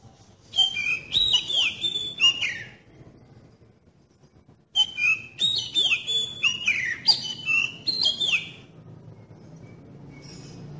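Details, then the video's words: Lure song of an Oriental magpie-robin, aimed at making young birds sing: two bursts of fast whistled, swooping phrases and sharp chips, separated by a pause of about two seconds. "terapi KACER PANCINGAN terbukti ampuh bikin kacer muda cepat bukpar dan GACOR"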